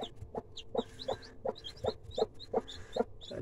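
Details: Broody hen with freshly hatched chicks clucking: short low clucks repeated about twice a second in a steady series, with thin high chick peeps scattered above.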